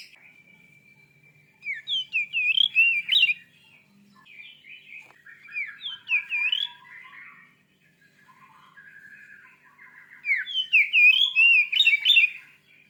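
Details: Oriental magpie-robin, described as a fierce singer used to agitate other kept magpie-robins, giving rich whistled phrases with rapid up-and-down slurred notes in three bursts, opening with a long steady whistle, quiet pauses between.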